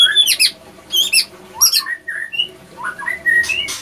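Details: White-rumped shama male and female attacking one another after failed matchmaking; clipped whistled phrases with sharp high clicks, separated by brief pauses, some loud squeaky slurs.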